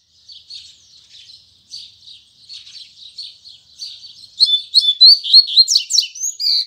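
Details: Double-collared seedeater singing in the morning, Tui Tui Zel Zel song style: soft, buzzy high twittering notes repeated for four seconds, then a loud, rapid burst of sharp whistled and trilled phrases.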